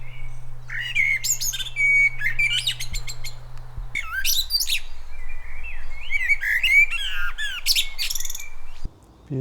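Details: Common blackbird singing from a silver birch in a coastal North-West England garden in May: varied, mellow fluting phrases, each trailing into high twittery squeaks, with short pauses between them over a low background rumble.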